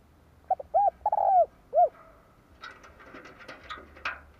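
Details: Spotted dove decoy bird calling in 2023 to lure wild doves: a few short, hollow, rounded coos in the first two seconds, then quieter scattered clicks and rustling noise.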